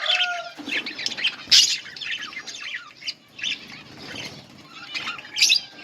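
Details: Budgerigars in a colony while eating; loud bursts of high scratchy chirps and warbling alternate with softer chatter and short whistles.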